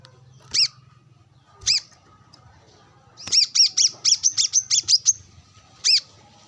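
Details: Brown-throated sunbird, a kept bird out sunbathing and calling a rival alongside wild birds. Sharp, high chirps: a few single notes, then a quick run of about eight ringing chips, then one more note.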